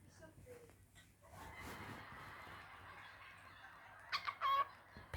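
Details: A pet male cockatiel gives a few quick, throaty, pulsed chuckles that imitate human laughter, something he often does when he hears people laughing nearby.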